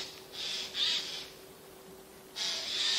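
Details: A pair of close raspy screeches, a pause, then a drawn-out grating call from Eurasian jays unseen in spruce branches, mid-September 2024.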